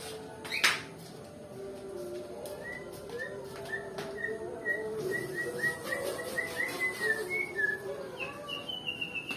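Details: White-rumped shama of the Nias type, described as a reluctant singer, giving a long run of short whistled notes at a steady, fairly quick pace, mostly at one pitch, then a few higher notes near the end, over a low background hum.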